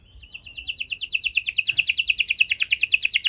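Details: Canary song meant to coax non-singing canaries back into song: a rapid, rhythmic series of bright chirping notes repeated about three times a second, growing louder and continuing steadily throughout.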